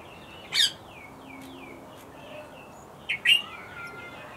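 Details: Bluethroat delivering a few clear, down-slurred whistles and thin high notes, broken by three loud sharp clicking notes, against quiet background hiss.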